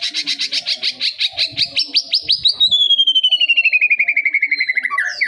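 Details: Young white-rumped shama singing: a fast train of clipped repeated notes, about three per second, flowing into a long descending trill of rapid pulses, loud and clear with faint low background murmur.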